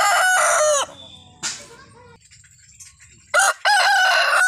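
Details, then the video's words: A desi rooster's crow fades out into a quiet stretch with faint background sounds. A second crow then begins, with a short burst followed by a strong sustained harmonic note. "मुर्गों की आवाज | Rooster Crowing Sound Compilation | मुर्गा की बांग | Desi Murga ki Avaj"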